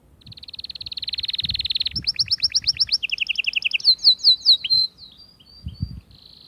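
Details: Atlantic canary singing to stimulate females for mating: a long rapid buzzy trill of repeated notes, then quicker chirped phrases shifting in pitch, ending in loud swooping whistles and a short high note after a pause.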